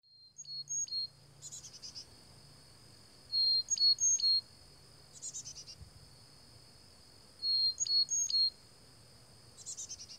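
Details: Black-capped chickadees visiting a bird feeder: groups of buzzy, harsh notes come in short bursts about every two seconds, mixed with thin high chirps, over a steady high insect drone throughout.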